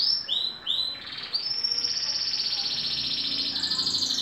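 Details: Moulting green canary, aged two, opens with a few swooping descending notes, then runs into a long, loud, rapidly pulsing high trill.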